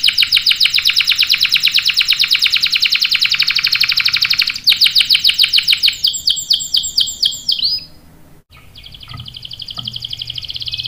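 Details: Canary song used to entice other canaries to sing: a long dense rolling trill, then spaced sweeping chirps, a brief silence, and a softer high trill to finish.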